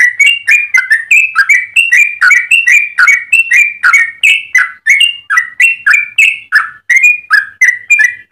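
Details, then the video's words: Yellow-vented bulbul delivering an extended, varied song meant to train or lure other birds: a dense, continuous chain of rich chirping whistles lasting over eight seconds. "Trucukan gacor ropel panjang cengkok termerdu untuk pancingan dan masteran"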